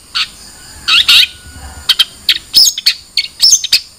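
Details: Long-tailed shrike delivering grating, buzzy notes and brief chattering phrases, some with a thin whistled tone, in quick irregular succession.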